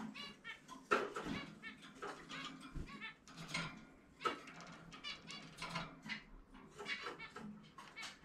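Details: Zebra finch at home, out of its cage for free flight, giving an individual song of stacked nasal notes and sharp clicks, delivered in dense uneven clusters with brief pauses.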